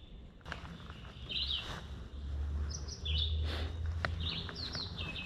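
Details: Red-eyed Vireo, heard while birding by bike in Summerville, South Carolina, sings short, slurred, robin-like phrases with brief pauses between them, over a steady low rumble of wind and motion.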